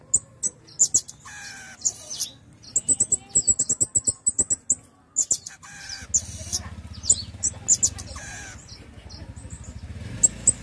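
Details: Pin-tailed parrotfinch song made of sharp, very high-pitched clicks and tinkling chirps in fast trains, pausing briefly between bursts, over a faint low hum.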